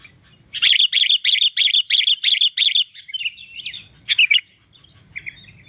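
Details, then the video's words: Sooty-headed bulbul in lively, clear tutor song: seven evenly spaced loud chirps in quick succession, then quieter bubbly, warbled whistles over a steady faint background tone. "masteran burung kutilang gacor suara jernih"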